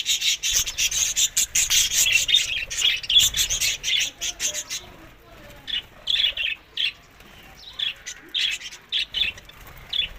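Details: Budgerigars eating summer food in May to June, Larkana, Sindh: a burst of dense, scratchy chirping chatter for five seconds, then scattered short buzzy chirps in small clusters with quieter gaps between.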